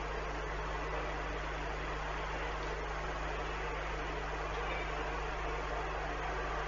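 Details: A steady low hum and hiss continue without change, and no animal voice can be picked out.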